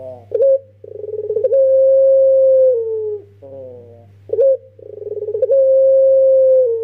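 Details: Two full pelung phrases from a young Barbary dove kept as a lure bird, each a sharp opening note and a fast throbbing run stretching into a long sustained coo, with soft broken notes between. A low hum is constant.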